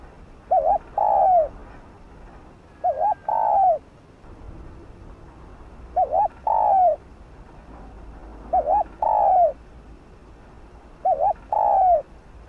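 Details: Five steady coo phrases from a spotted dove in 'thúc gù' style, used to prompt other doves to call: each a brief warbled double note and a longer downward-sliding coo, repeated roughly every two and a half seconds.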